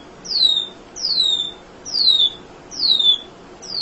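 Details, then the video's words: Munia song used to train other songbirds: thin high whistles sliding downward, repeated about every 0.8 seconds in a steady series. "Kicau Emprit Ngoceh Tak Kenal Lelah"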